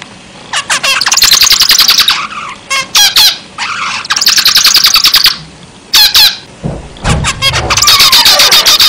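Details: Zebra finch song in bursts of buzzy, rapidly repeated harsh notes with bright overtones, broken by short pauses, plus a brief low thump near the end.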